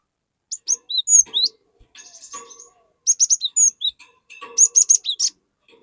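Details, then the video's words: Lively cinereous tit song meant to draw a young, untrained tit into singing: clusters of piercing whistles and rising slurred notes, with soft chattering between the phrases in a quiet setting. "Burung Glatik Gacor Memancing Glatik Bahan Agar Ikutan Gacor Ngeplong"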